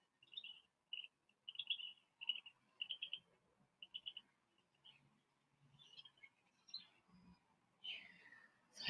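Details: Black Crake call, a recording played by a guide at an African waterhole on 16 August 2024, a bird more often heard than seen in reedy water: short, clipped, chattering bursts, about two a second, then softer scattered notes before a sharp noise.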